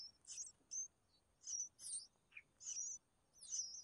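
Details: Red-whiskered bulbul nestlings begging while their mother feeds them: thin, high squeaky chirps with short wavering whistles, given in bursts about every half second, over a quiet background.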